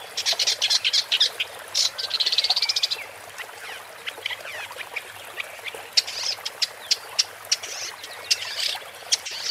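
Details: Woodchat shrike song as a busy, scratchy chatter: quick bursts of dry clicking notes, a buzzy trilled stretch near the start, then sharper separated ticks and harsh phrases continuing throughout.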